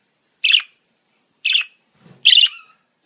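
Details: Budgerigar song meant for training a lonely or sad pet budgie to sing: three rasping, buzzy chirps at roughly one-second intervals, the last trailing into a brief, thin whistle, with a soft low rustle just before it.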